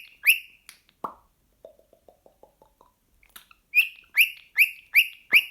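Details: Hyperactive pet cockatiel reacting to a sock, giving short sharp rising-falling chirps in a quick regular series, with a soft low clicking patter and a single thud midway.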